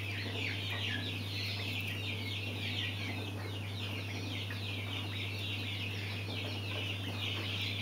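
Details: Mountain quail chicks giving a dense, continuous chorus of high, short peeping chirps that overlap throughout, with a steady low electrical hum underneath.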